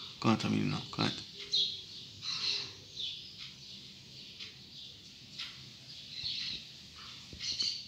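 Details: Double-collared seedeater at dawn giving bursts of high, scratchy chirps spaced a second or so apart, while a person speaks briefly at the beginning over faint low room noise.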